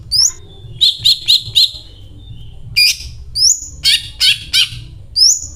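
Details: Greater green leafbird singing vigorously with a learned cililin repertoire: a rising whistle, four quick harsh chirps, then rising whistles mixed with loud buzzy bursts spaced about half a second apart, faint hum beneath.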